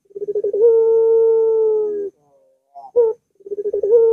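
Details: Barbary dove, recorded to coax a sluggish dove into song. A stuttering beat sequence leads into a long, even, low hooted note. After a pause comes a short sharp coo, then the pulsed opening returns.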